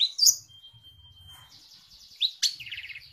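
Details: Long-tailed shrike with a high squeaky note, a long thin level whistle, soft buzzy trills, then a loud chirp and a rapid rattle.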